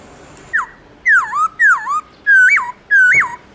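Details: A black-throated laughingthrush gives a wild-type morning song of five rich, clear whistles, each swooping down then up, some with a quick upward flick, spaced about half a second apart.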